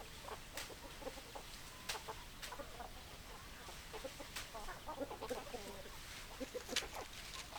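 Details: Chicken flock heard as a busy chatter of brief clucks and soft murmured notes from many birds, irregular and overlapping, with constant background hiss.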